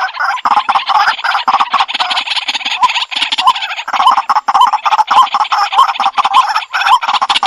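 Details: Waterhen call recording for bird trapping: a dense, almost continuous chatter of rough, croaking notes that overlap in a fast, uneven stream, loud and close with nothing else audible.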